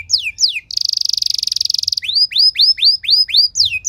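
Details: Canary song with cengkok mewah ornamentation for prompting other canaries to sing: two sliding whistles, a long rapid pulsing buzzy trill, then a regular run of clear upward-curving whistles about four per second.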